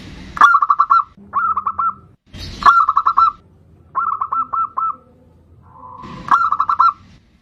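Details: Bodronoyo zebra dove singing as a lure: several spliced phrases, each a quick cluster of five to seven mellow, clipped coo notes, with brief low noise bursts between phrases.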